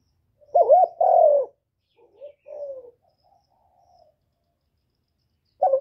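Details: Spotted dove coo used to stir newly kept birds: a double hoarse coo, then softer falling notes and a faint trailing coo, with another coo starting at the end.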